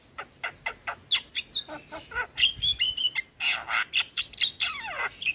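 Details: Javan myna in a tutor and prompting recording mixed with other starlings: a series of harsh, noisy chattering notes about once a second, broken by brief high whistles and ending in a falling buzzy sweep.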